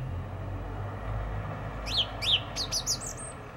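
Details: Song thrush in a garden, April 2021, giving a few thin whistled notes and a quick repeated chirping run over a low background hum.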